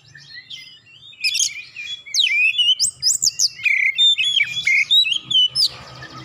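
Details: Oriental magpie-robin song played as a lure for hesitant singers: soft opening warble, then loud rapid whistled loops and repeated bright notes in quick succession, fading into a hiss at the end.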